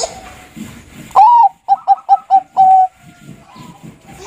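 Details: Zebra dove, the Bangkok type of perkutut, singing to stir stressed birds into song: a loud clear coo followed by four short evenly spaced cooing notes and a longer level final note, all mid-pitched, with faint background noise.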